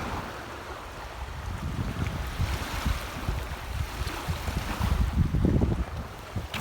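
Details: Wind rushing over the microphone and low splashing of water against a boat, rising and falling; no clear animal calls.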